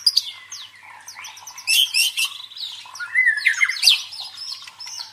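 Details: White-rumped shama song used as a lure to train the fighting mental of contest birds: rich varied phrases mixing clear whistles, rapid high chattering trills and harsh squawky notes, loud bursts near the middle and end.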